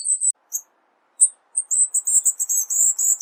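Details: Cuban bullfinch, masteran recording in the 'tembakan rapat' style: very high bright chirps, scattered at first and then packed into a rapid, almost continuous twittering burst, with a faint low hiss behind.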